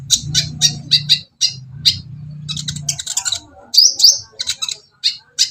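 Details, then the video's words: Copper-throated sunbird (kolibri ninja) singing: sharp high chirps and short twittering notes scattered irregularly, with a steady low hum underneath during the first three seconds. "suara Kolibri ninja terbaru ..!!! masalah gacor nilai sendiri"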